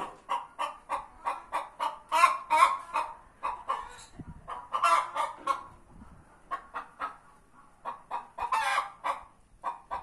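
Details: Two hens squabble over a shared nesting place in a tractor, wanting to lay eggs there: rhythmic clucks about two to three per second, with several louder, rasping cackles rising out of the series; faint low rumble beneath.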